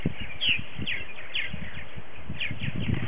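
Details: Early-season morning social at a purple martin colony on February 28, 2018, with 60 to 70 adult birds present. Busy chirping and short warbled notes from many birds sound over steady low wind rumble.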